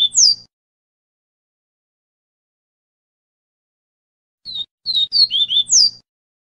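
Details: Double-collared seedeater in the viviti song style, a tutor recording for teaching chicks: the falling whistle ends one phrase, then after a long pause comes a full phrase of quick high whistled notes closing with a downward slur, over a faint hum.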